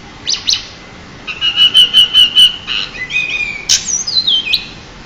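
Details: A champion pied bushchat sings as a master bird: two quick sharp notes, then a run of six evenly spaced whistled pips, followed by sliding and descending high whistles.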